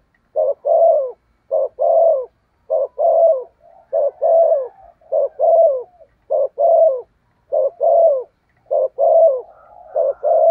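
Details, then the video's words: Spotted dove used as a decoy to draw wild doves, giving rapid rhythmic coo phrases, a quick note and a longer burring coo repeated regularly nearly every second, close and clear. "Chim Cu Mồi/ cu gáy thúc gù cực đỉnh kích bổi dợt mồi hiệu quả"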